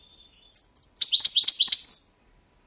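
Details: Competition recording of a Balkan goldfinch, Carduelis carduelis balcanica, kept by breeders in Serbia; a brief soft note, then a fast tumbling phrase of high liquid twitters ending in a drawn-out bright whistle.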